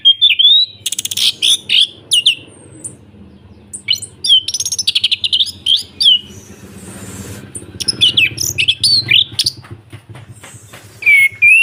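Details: Full ngeplong song from an orange-headed thrush, played to set silent birds singing: dense bursts of varied whistles and sharp clicks, swooping slurred notes, a short noisy pause midway, and low background rumble.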